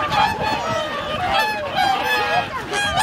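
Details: A wintering flock of whooper and tundra swans (2,628 birds counted) at Lake Hyoko, Agano, Niigata, Japan, on 8 January 2022 keeps up a dense, overlapping chorus of nasal, bugling honks, many calling at once without pause.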